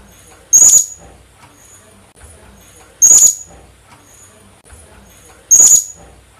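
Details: Colasisi (Philippine hanging parrot) uttering single harsh, shrill, very high squeaks, three in all, repeated roughly every two and a half seconds, with faint soft noises between them.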